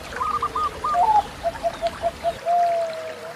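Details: Zebra dove song used as therapy for training pet doves: a short stutter of notes, then a run of evenly spaced soft coos ending in a long drawn note, with running water behind.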